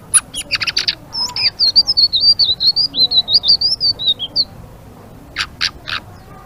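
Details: Blue-winged leafbird in lively ngeriwik chatter: harsh clicks open, then a rapid run of thin, wavering whistles for about three seconds, ending with a few sharp dry clicks after a pause.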